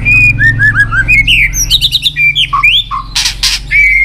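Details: White-rumped shama song meant to excite other shamas: a mellow whistle, then quick falling and rising notes, bright twittered phrases and loud slurs, two bursts of harsh noise, then another clear whistle over a low hum.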